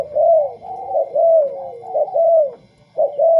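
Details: Spotted dove, a tame bird compared with a white one, giving loud repeated coos around 600, each a rising-falling phrase of about half a second, roughly one per second with brief gaps.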